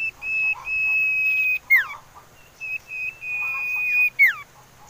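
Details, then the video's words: Common iora whistling, used as a lure to bring birds into song. Two phrases, each a short lead note followed by a long, sustained pure whistle that ends in a steep downward swoop, with faint chirps underneath. "Siulan Merdu Cipoh Sirtu"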